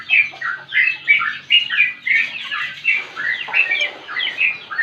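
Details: Talkative sooty-headed bulbul delivering continuous 'ngropel' song for prompting and tutoring: cheerful, liquid whistled phrases, each dipping then lifting, following in quick, unbroken succession.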